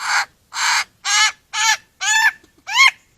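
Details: Lyrebird from the Australian forest giving six harsh, crow-like caws about half a second apart. Each caw sounds hoarse and nasal and ends in a slight upward inflection.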